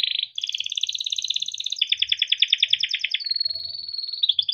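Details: Continuous rolling song from a captive male yellow canary, played to train young birds to sing: steady pulsed trills shifting pitch in stages, ending in a long high whistle and chirps, faint low background noise.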